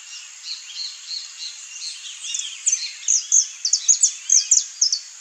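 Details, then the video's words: A wild saffron finch, free in nature, sings a series of bright, high chips and short slurred notes that build louder and quicker toward the end, over a steady high hiss. "CANTO do CANÁRIO-DA-TERRA (SICALIS FLAVEOLA), SAFFRON FINCH"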